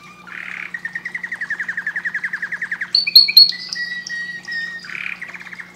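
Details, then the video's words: A canary rattles off a fast rolling trill for over two seconds, then breaks into sharp, high whistled notes and a buzzy phrase, over a faint steady hum. "Canary bird singing"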